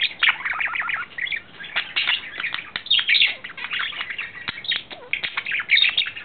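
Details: Male budgerigar, courting, April 2009: broken phrases of chirpy warbling and sharp clicks, separated by short gaps, with a few downward-sliding squeaks.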